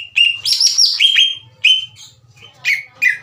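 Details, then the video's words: Green leafbird singing to rouse slow-warming rivals into answering: rich whistled phrases with a buzzy, higher rising burst, then separated slurred notes, and a low hum in the background. "MASTERAN DAN PANCINGAN CUCAK IJO LAMBAT PANAS UNTUK MEMICU EMOSI LAWAN AGAR GACOR"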